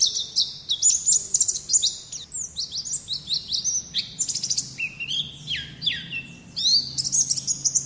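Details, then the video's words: A white-eye (Zosterops, pleci) sings a long, rapid, high-pitched run of sweet twittering notes with quick slurred trills and chirps, delivered almost without pause. "Suara Burung Pleci Ngalas || Zosterops Sounds"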